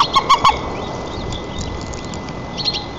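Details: At a nest in Tatarstan's Nizhnyaya Kama National Park on 4 May 2024, a nest camera records a white-tailed eagle feeding its chick: three strong, evenly spaced yelps at the start, then hiss and a faint high chatter of small birds.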